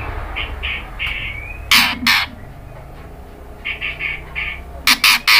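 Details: Female white-rumped shama calling the male: short buzzy notes in small groups alternate with harsh, loud rasping bursts, heard twice, over a steady background hiss.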